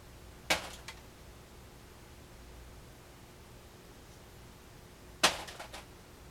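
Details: An African grey parrot coughs and clears its throat, giving two sharp, dry coughs about five seconds apart, each followed by a few faint clicks, in a quiet room.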